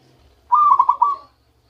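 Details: Wild-caught zebra dove starting to sing its natural song: a single brisk phrase of throbbing, rapidly pulsed coos lasting under a second, then silence.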